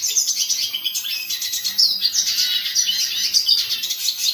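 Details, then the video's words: Hooded siskin song, a busy stream of high chirps, trills and short whistled slides delivered nonstop, with a faint low hum underneath. "Hooded siskin song - Cabecita negra"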